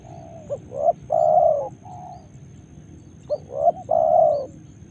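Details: Two successive cooing phrases from a Spotted dove in Karawang, each a short note, a swelling hoot and a long steady coo, with a quieter coo between; low background rumble throughout.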